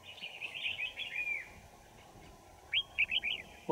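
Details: Red-whiskered Bulbul singing during trapping of wild birds in Kim Bôi, Hòa Bình, on a winter morning, 3 January 2018: a rolling, liquid warble, a quiet gap, then four quick clear whistled notes.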